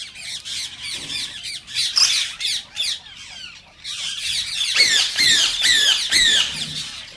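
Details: Rose-ringed parakeet, the green Indian ringed form, whose calls are said to spur other parakeets toward singing and mating; dense grating squawks run together, swelling into louder slurred screeches near the end.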